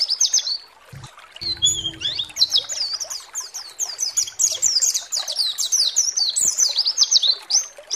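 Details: Fast white-eye song meant to goad rival white-eyes to sing: a dense, high-pitched stream of quick chirps and warbled slurs, building steadily after a quieter opening, with a short low thump early on.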